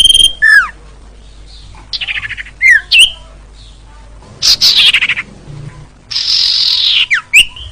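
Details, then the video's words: Sirtu, a wild bird, recorded as a lure and tutor sound: clear whistled notes alternate with steeply falling slurs and loud harsh buzzy bursts, delivered in short irregular phrases. "Suara Burung Sirtu Juara Cocok Buat Masteran Dan Pancingan Paling Ampuh"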